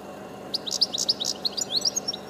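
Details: From a high perch, a European goldfinch (Carduelis carduelis) sings a fast, liquid run of high tinkling twitters and short trills, bright and jumbled, with a faint low hum behind.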